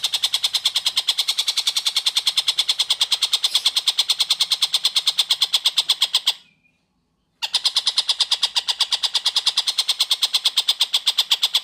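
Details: Long-tailed shrike singing actively, recorded clearly as tutor song for magpie-robins: nearly continuous rapid, harsh, buzzy notes at an even pace, cut by one brief silence before the same rattling rhythm resumes.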